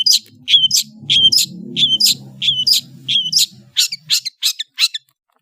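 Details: Long-tailed shrike, or cendet, singing kicau ocehan: a repeated two-part phrase of a flat whistle then a sharp upward chirp, given about every half second, shifting to quick single chirps near the end, with a low murmur behind.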